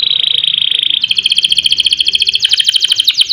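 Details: Energetic canary singing 'ngerol', rolled trills used as a master and lure for other canaries: a very fast, thin high trill that shifts into a coarser, louder rolling rattle.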